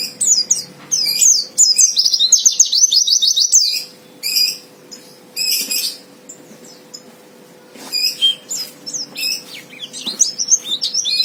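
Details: Fighter-style white-eye singing to goad a rival: bursts of high, rapid twittering and a fast rattling trill, broken by short pauses, then more excited high chirps and sharp notes.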